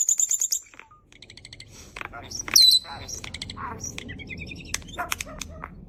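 A starling runs through a quick jumble of high chirps, clicks, rattles and a sharp falling whistle, with a few throaty, speech-like phrases mixed in.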